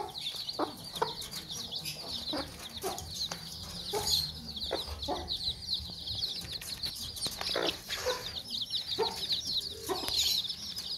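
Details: A protective Sussex hen with her brood gives repeated short, scolding clucks, some doubled, while the chicks peep shrilly and nonstop throughout.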